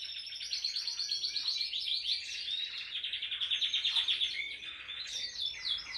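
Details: Canary singing continuously while held in the hand: a dense, high, warbling stream of fast trills and chirps over a steady noisy background.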